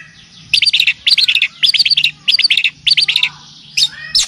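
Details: Long-tailed shrike (cendet, pentet) on a song-training and lure track that also features kapas tembak and cililin; quick clusters of four or five bright chirping notes repeated in bursts of roughly half a second.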